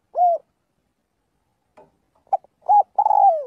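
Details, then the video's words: A single clear coo opens, then after faint notes a spotted dove calling its flock in daily practice gives short coos and a long coo falling in pitch. "tiếng chim cu gáy gọi/chim cu gáy gọi bầy luyện giọng mỗi ngày"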